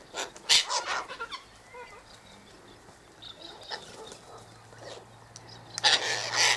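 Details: Sulphur-crested Cockatoos in a flock by an eastern gate, feeding on scattered sunflower seeds, wheat and birdseed; a harsh broadband screech near the start and another at the end, with softer chatter and small calls in between.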